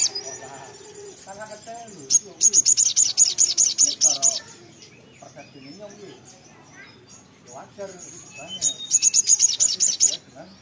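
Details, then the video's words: Little spiderhunter (sogon) in vigorous song: two bursts of rapid, high, staccato notes, one of about two seconds and a shorter one, separated by quieter mixed chattering and low background noise. "sogok ontong (sogon) gacor ngotor ngleper"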